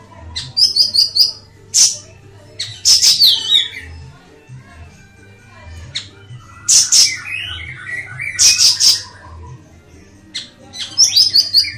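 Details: Ashy tailorbird singing in scattered bursts of sharp, high, buzzy notes and short trills, separated by pauses, with a faint low hum in the background.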